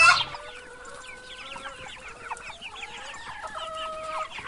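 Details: Chickens giving a busy chatter of soft, short chirps and clucks after a brief loud opening squawk, many small voices overlapping at low volume.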